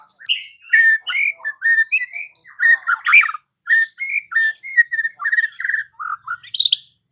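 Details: Caged white-rumped shama song played in the afternoon to provoke a silent bird into singing: rich, varied whistled phrases with rapid chattering notes and sweeping slurs, delivered in quick bursts with brief pauses, ending in a high rising flourish.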